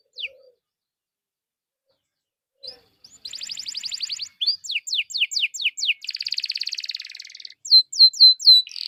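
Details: Canary lure song for prompting others to sing: after isolated chirps, a fast pulsed roll, a series of sharply descending whistles, a dense buzzy trill and finally repeated hooked upslurred notes.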